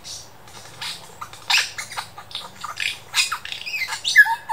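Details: Superb lyrebird at the Dandenong Ranges Botanic Gardens mimicking local birds and sounds like a laser gun and camera shutter: a rapid medley of varied squawks, chirps and sharp bursts, ending in bright whistled notes.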